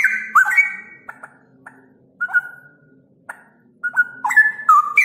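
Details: Straw-headed bulbul song used to lure and tutor caged birds: a rich gurgling whistled phrase, then sparse clicks and single fluty notes, building again into loud stepped warbling whistles at the end.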